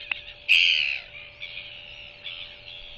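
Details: At its evening feeding on 21 January 2023, a Royal albatross hatchling begs while its mother bends over to regurgitate food. One loud, shrill, squeaky cry is followed by fainter, drawn-out whines over a low constant hum from the nest camera.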